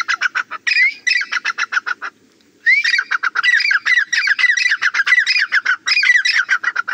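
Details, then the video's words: Black francolin, a fighting bird of the black or Iranian type, giving loud repeated harsh notes in rapid series, with rising whistled squawks woven through and a short pause near the two-second mark. "Amazing fighting teeter. kala or irani teeter."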